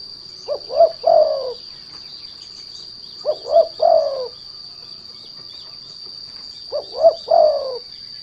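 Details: Derkuku or spotted dove calling as a lure to set other doves singing: three evenly spaced phrases, each two short hollow coos then a longer falling one, about three seconds apart, with a faint steady high whine.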